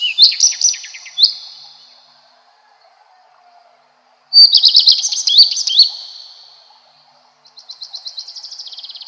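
A redstart sings three short, high phrases a few seconds apart. Each opens with clear notes and breaks into a quick, scratchy jumble.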